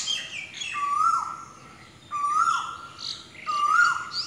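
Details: Asian koel (Eudynamys scolopaceus), song.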